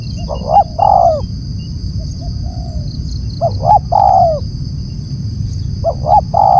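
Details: Spotted dove calling loudly: three phrases, each two short hooting notes followed by a longer, falling coo. A fainter coo sounds between the phrases. Steady low rumble and a high, constant hum run throughout.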